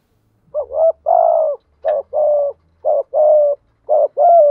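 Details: Decoy spotted dove cooing to encourage wild doves to start cooing. Three close, steady phrases pair a short upswept note with a longer level hollow coo, with a faint low hum underneath.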